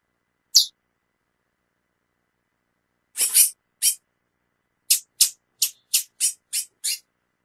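A female chestnut-bellied seed finch gives short, high, sharp chip notes, a lone note first, then a quickening run of about a dozen.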